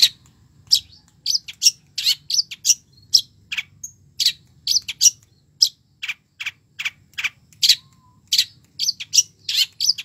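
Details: Lively long-tailed shrike song, full of fill-in phrases: a continuous string of sharp, high, scratchy chips and notes, several per second, varying in pitch throughout.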